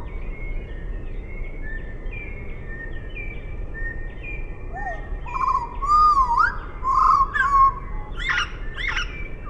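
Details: Eurasian blackbird song played at half speed: faint thin drawn notes first, then rich, slow-warbling fluted phrases and squeaky flourishes over a steady hiss.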